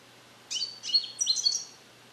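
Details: Young captive-bred male European goldfinch from the USA, hatched in 2021, practises Neapolitan song passages while isolated in a carrier. One brief phrase of high, clipped, sliding notes runs just over a second.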